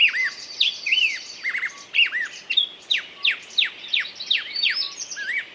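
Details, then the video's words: Bird song of sharp, repeated downward-sweeping whistles, roughly one per second, mixed with looping notes and a faint high trill. "пение птицы"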